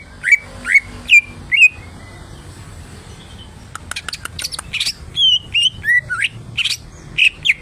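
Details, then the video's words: Kept greater green leafbird, lolohan care, singing four bold rising whistles, then a rapid series of ticks followed by varied sliding whistled notes. "BURUNG CUCAK IJO !!! Gacor Rawatan Lolohan"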